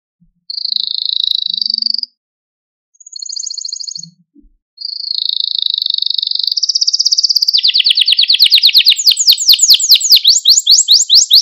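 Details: Canary song meant to train young canaries and to stir and excite them: two high buzzy trills with short gaps, then a long continuous trill sliding down into fast, rolling, repeated sweeping notes; clean background.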